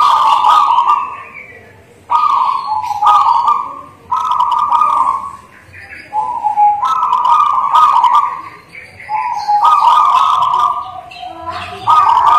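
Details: Native local zebra dove singing actively, meant to prompt other doves to answer: long, even coos repeated every one to two seconds, with brief crackling broadband sounds between phrases.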